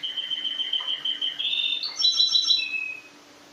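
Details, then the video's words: Canary singing during vertical song training with the tutor placed lower than the learners: a sustained whistle stepping upward into higher warbled notes, over a faint steady hum. "l'apprentissage vertical du chant"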